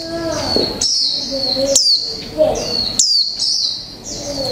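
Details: Caged Japanese white-eye of the mộc tinh type, one month in the cage, singing in the 'líu pha chòe trống' style (chatter mixed with male magpie-robin): high, thin whistled phrases sweeping down, repeated about every second, with some low murmuring beneath.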